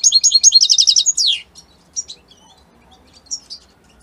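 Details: European goldfinch, Italy, singing a dense run of high, rattling twitters ending in a descending buzzy slur, followed by a few scattered soft chirps over a quiet background.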